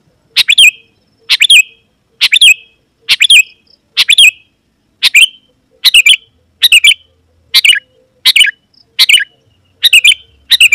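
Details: Sooty-headed bulbul in lively full song, used to call rival wild bulbuls that answer and approach; short bubbly chirped phrases of two to four quick notes, repeated about once a second over a quiet background.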